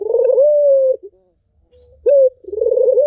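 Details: Barbary dove song for enticing a non-singing dove: one long warbling coo sliding gently down, a pause, a sharp short upslur, then another rolling coo beginning.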